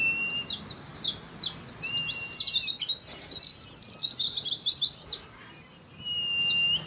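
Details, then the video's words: Ngalas song of a caged Oriental white-eye in a colony: a loud, tumbling stream of very high chattering notes for about five seconds, then quiet, then a few more chirps and a thin whistle. "TERAPI ADU NGALAS SAAT KOLONI PLECI"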